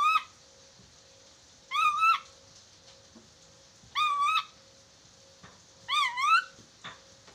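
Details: Chattering lory in a recording played to train birds to talk fast: loud wavering whistles, each about half a second long, repeated roughly every two seconds over a steady background hum.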